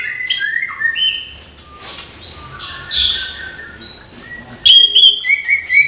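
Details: Morning singing of an orange-headed thrush to rouse young birds into song; sweeping whistles and slurred glides at varied pitches, then a lively burst of sharp repeated chirps near the end.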